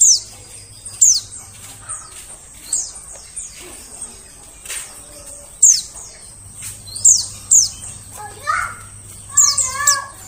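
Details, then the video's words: White-eye lure calls for the forest: high, thin descending chirps throughout, with a lower, warbling whistled phrase from another bird rising in toward the end. "suara pikat burung pleci"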